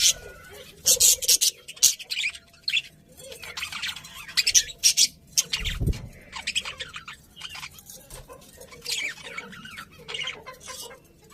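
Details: Several budgerigars chattering and squawking in repeated scratchy bursts separated by short gaps, with one low thump midway.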